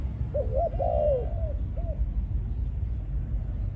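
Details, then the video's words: One full coo phrase from a male decoy spotted dove, caged, Malaysian line, in breeding condition after ground feeding: a short note, a long, wavering falling coo, then a soft closing note, over low-frequency hum. "Chim cu gáy mồi || Nọc Neymar dưỡng vài kèo ăn đất rồi vào chế độ Sinh Sản"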